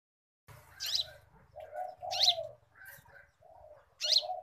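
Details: Sunbird in a training recording for cage birds, delivering sharp high sweeping notes about three times across a few seconds, set over lower steady cooing tones and a faint low hum.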